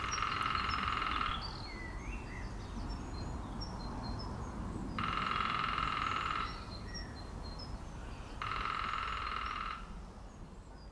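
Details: Lesser spotted woodpecker drumming at Langdon Hills, Laindon, on 5 April 2018: three even, rapid rolls of about a second and a half each, a few seconds apart, with faint bird chirps behind.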